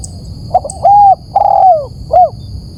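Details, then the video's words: Spotted dove, its call used as a lure for catching birds: a brief run of hollow cooing notes, two long sustained coos followed by a short falling one, against a faint steady hum. "Pikat suara bagus memancing."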